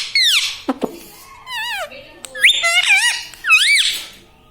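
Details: Pet parrot talking in a small room, repeating words like mummy, papa and radhe radhe: a rapid run of high, sliding, rising-and-falling speech-like syllables with squeaky overtones and brief gaps between phrases.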